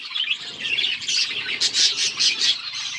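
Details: Budgerigars chatter while eating in a busy, scratchy stream of high chirps and squawks, bursts about twice a second with overlapping voices.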